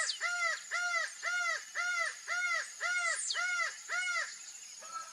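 A laughing falcon gives a steady series of loud, nasal, arched notes, about two per second, eight in a row, then a pause and one more.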